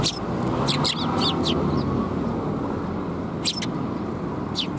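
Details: High, clipped chirps from sparrows at Tenmangu shrine, recorded 13 December 2021, come in a quick burst during the first second and a half, then a pair and a single later, with traffic-like rumble throughout.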